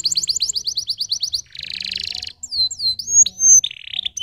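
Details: Canary singing a fast trill of repeated falling notes, a buzzy rattle, then sweeping whistled slurs and a short buzzy phrase.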